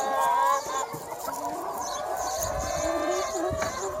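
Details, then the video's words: Free range chickens on a sunny spring day: a loud drawn call opens, then a dense background of overlapping clucking and crooning continues from the flock. "Chicken Sounds 1 Hour - Chicken Sound Effect"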